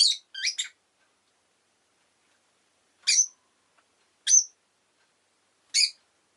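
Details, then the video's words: Rosy-faced lovebird calling: short, shrill, high chirps, a quick triple at the start, then single sharp notes spaced roughly a second or more apart, with silence between them. "Lovebird Chirping Sounds"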